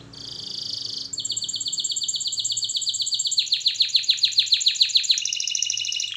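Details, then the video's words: A canary sings a training song: a steady high trill, then a long even series of quick repeated notes that turn into falling sweeps, closing on a slightly lower trill. "Canary Singing Birds Sounds at its best Melodies Canary Bird song Training"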